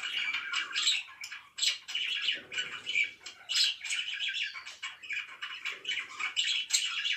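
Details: Morning chatter of pet budgies: a steady stream of rapid, raspy chirps and squawky warbles, several overlapping voices, high and busy without pause.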